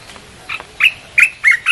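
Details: Red-whiskered bulbul song played to lure wild birds: four short, loud whistled phrases, each a quick rising-then-falling note, spaced about a third of a second apart.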